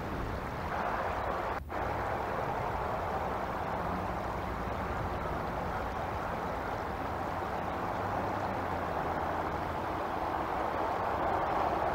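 Steady broadband rumble like engine or water noise, with one brief click near the start and no animal calls.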